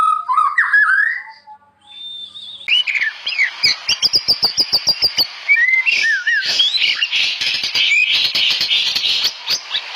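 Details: Singing white-rumped shama in full voice, part of a set of master songs for captive shamas: a few fluted whistles open, then a rapid, dense run of sharp clicking notes and high twittering chatter.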